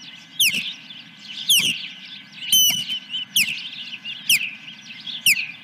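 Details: Nesting osprey on July 10, 2021, during a fish delivery, repeating piercing downslurred whistles at irregular intervals of about a second, with a continuous thin chatter behind them.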